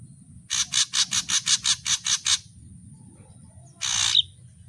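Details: Ashy drongo song with its full range of variations: a run of nine harsh, scratchy, evenly spaced notes, then a single longer rasping burst, with a steady high electronic whine throughout.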